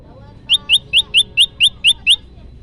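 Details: Olive-backed tailorbird, played as a lure for trapping birds: eight sharp, high, down-slurred chirps in quick even succession over about a second and a half, with faint low background hum.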